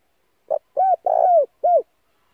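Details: Spotted dove decoy calling to lure and excite wild doves, also used to train a dove's voice: one phrase of low, hollow coos, a short first note followed by three longer arched notes, in clean silence.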